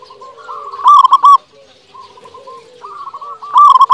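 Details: Energetic local zebra dove song, played as a lure to prompt other doves to answer. Rolling, bubbling coos come in short stuttered bursts, with gentle sustained cooing phrases between them and a fresh burst at the end.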